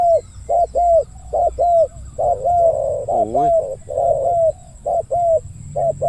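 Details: Spotted dove (Spilopelia chinensis), cooing call.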